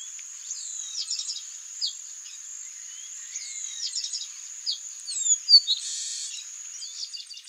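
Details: Male Chestnut-capped Blackbird recorded at Garibaldi: looping high whistled phrases with quick chips repeat twice, followed by sharp descending notes and a brief harsh burst, set against a continuous shrill insect chorus.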